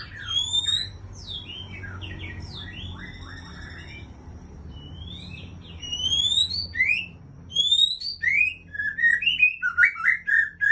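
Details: Aceh white-rumped shama (murai Aceh), a breeding parent bird, singing clear whistled phrases with sharp upslurred and downslurred notes, spaced at first, then grouped into quicker bursts of varied whistles and chips toward the end.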